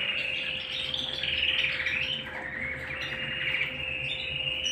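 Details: Singing canary kept at home, a smooth flowing warble of rolling trills that dip and rise in pitch, uninterrupted for the whole stretch, with a steady electrical hum beneath.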